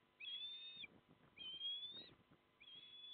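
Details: Osprey at a nest on a barge at Port Lincoln, South Australia, 6 October 2017, with two chicks aged 27 and 25 days, while the male brings fish on a very windy day; three drawn-out, slightly rising whistled calls, low wind rumble beneath.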